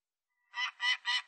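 A Peregrine Falcon gives three harsh, grating notes in quick succession.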